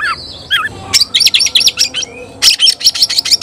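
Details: Oriental magpie-robin, locally kacer, calling a rival to battle: a wavering whistled phrase opens, then a fast string of piercing clipped notes, a short pause, and another rapid harsh burst.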